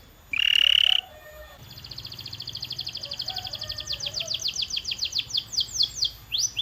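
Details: Singing canary: a brief loud steady piping tone, then a quiet buzzy roll that builds into repeated bright downward-sweeping notes at a quickening pace.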